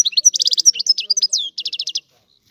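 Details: Brisk goldfinch phrase of rapid chattering trills, twisting whistled notes and a rising slur, closing with a crisp rattling run before silence.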